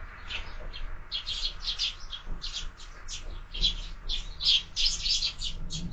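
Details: Several sparrows at a window-mounted feeder in the morning chirp in quick, uneven bursts of short, bright notes that overlap one another, over a low background rumble.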